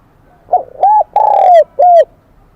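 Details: One complete song phrase from a wild-caught spotted dove of the high Kim Đồng voice type: a faint lead-in, a ringing coo, a long downward-drifting note and a closing coo.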